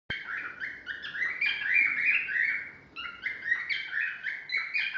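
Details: Cockatiel (Nymphicus hollandicus) singing a run of clear, warbling whistles that rise and fall in quick phrases.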